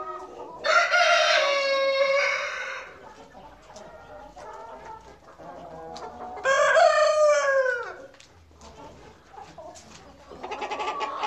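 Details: Rooster on a farm crowing twice, each a loud harmonic drawn-out crow of about two seconds, the second ending in a falling tail, with softer clucking and another crow starting at the end.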